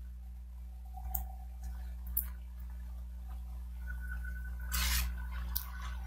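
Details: Steady low electrical hum in a small indoor room, broken by a few sharp clicks and a brief louder rustle, with no animal voice.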